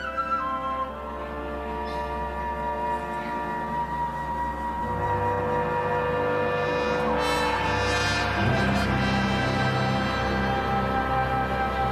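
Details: Sustained orchestral music with flute and low drones, shifting in harmony, with no animal calls.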